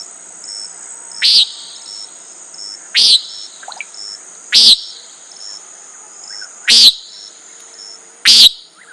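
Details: Common nighthawk repeating a harsh, buzzy nasal note five times at intervals of about one and a half to two seconds, with a continuous high-pitched hum in the background.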